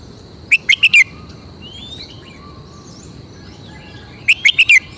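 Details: Caged red-whiskered bulbul from Thailand, kept for its distinctive song phrasing, delivering two bright phrases of four quick whistled notes each, separated by about three seconds of quiet with faint distant chirps and a steady high hum.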